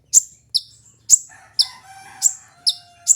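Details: Piercing high chips from a sunbird repeat roughly every half second, with a faint lower whistled tone drifting underneath midway; meant for luring or tutoring songbirds.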